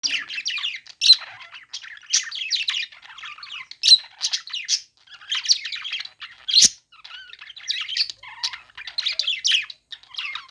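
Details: Budgerigars at play give a continuous chattering warble of rapid, scratchy high chirps, with sharp loud squawks standing out around the first, fourth and seventh seconds.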